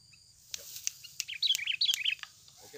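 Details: Sooty-headed bulbul, original lure sound used to prompt other birds to sing: short bubbly warbled phrases around the middle, preceded by scattered clicks and followed by faint background noise.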